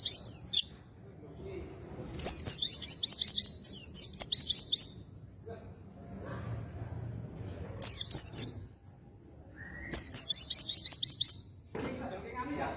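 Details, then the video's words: Oriental white-eye, kept as a cage songbird, singing in a relaxed, unhurried style of tembakan ngroll: high, rapid bursts of quavering trills, each phrase about a second long, separated by short pauses, with faint low background noise. "PLECI NGROLL TEMBAKAN SANTAI || MASTERAN RELAKSASI PLECI BUNYI"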